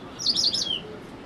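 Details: White-browed wagtail (Motacilla madaraspatensis) at Valparai gives one brief, high, melodious warbling phrase ending in a clear whistle sliding downward, over a faint low background hum.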